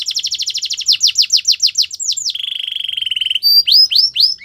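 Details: Canary singing for training: quick descending whistled notes in a fast run, a long even buzzy rolling trill, then slower upward-curving chirps.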